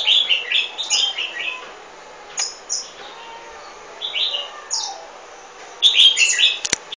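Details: Golden-fronted leafbird giving bursts of quick chattering and whistled notes separated by short pauses, ending in a loud, rapid, high-pitched flurry.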